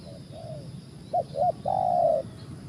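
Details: Spotted dove cooing: a soft lead-in note, two short choppy coos, then a sustained, slightly falling long coo, with low background hum.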